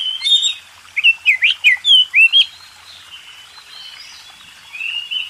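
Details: Oriental magpie-robin contest champion delivering master song for training contest birds: a burst of loud rising and falling whistles, then soft sustained warbled notes.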